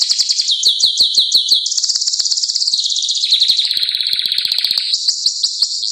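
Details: Energetic canary song: a series of looping whistled notes repeated quickly, then long, fast rolling trills with a lower buzzy section, continuous throughout.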